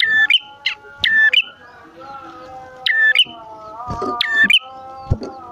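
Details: Bar-winged prinia, a male and female pair: scattered sharp chips, each dropping to a brief lower whistle, over a steady humming tonal background sound and faint clicks.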